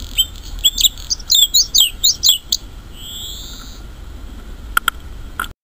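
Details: Bluethroat song outdoors: a quick series of ringing, looping high notes repeated several times, followed by a long thin buzzy whistle, then a pause and a few sharp clicks.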